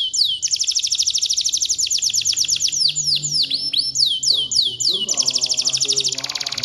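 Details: Canary in full 'gacor' song with a showy 'cengkok mewah' style: a long unbroken run of rapid high sweeping notes, deep downward swoops, and quick rolling trills at a fast, uneven pace.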